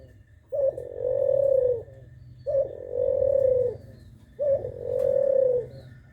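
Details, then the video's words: Spotted dove cooing steadily, three phrases roughly two seconds apart, each opening with a brief higher note before a sustained mellow low coo that fades off, set against a quiet constant hum. "terkuku gacor bunyi terus"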